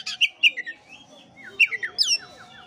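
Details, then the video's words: Oriental magpie-robin song used to rouse a listless bird: sweet slurred whistles in two groups, descending notes followed by a high rising whistle, over a soft steady hum. "pancingan kacer jitu dan ampuh buat kacer loyo kurang ber gairah.!!!"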